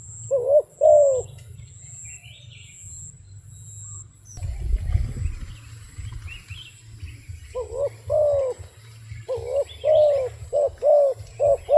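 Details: A wild dove gives a brief pair of soft coos, then goes quiet for several seconds before a long run of quick, rounded, downward-curving coos, over a faint low rumble.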